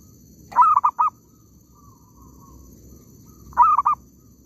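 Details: While zebra doves are lured in an oil palm plantation, one gives two brisk three-note phrases about three seconds apart. A quiet, wavering coo sits between them above a low background rumble.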